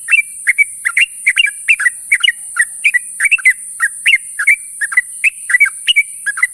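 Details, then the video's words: Sooty-headed bulbul's morning call to companions: an unbroken series of bubbly two-note whistles, rising then dropping, repeated roughly three times a second throughout, with a steady hiss behind. "suara burung trucuk memanggil kawan di pagi hari"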